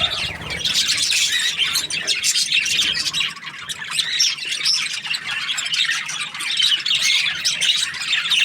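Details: Happy budgerigars chirping: a dense, continuous chatter of high squawky notes and warbles layered over one another, with no pause for the whole stretch.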